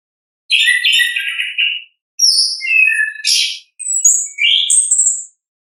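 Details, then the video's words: Orange-headed thrush singing in the ngeplong style, a natural recording: high varied phrases, some buzzy and some whistled, in three bursts separated by short pauses, with no other sounds. "ANIS KEMBANG GACOR, pancingan suara asli alam anis kembang"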